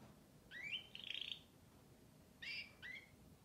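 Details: Canary song: a rising whistle runs into a rapid rattled trill, then after a short gap two bright upslurred whistled notes follow.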